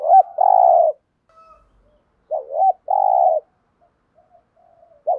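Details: Spotted dove cooing in the thúc gù style. A brief hooked note leads into a long, level, mellow coo. The phrase repeats twice, and a third phrase begins at the very end.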